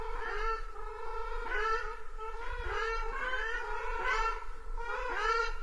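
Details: Ruddy shelduck giving drawn-out nasal, trumpet-like honks, about one call every second and a half, harmonic-rich notes that bend and fall, over a constant low rumble.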